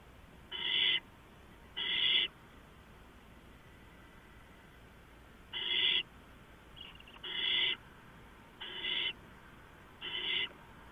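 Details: Owls in a nest-box camera housing before dawn at 4:45 AM on 6 April 2015, three birds inside and coming and going; six harsh, hissing screeches, each under half a second, loosely spaced over eleven seconds, with a faint steady background hum.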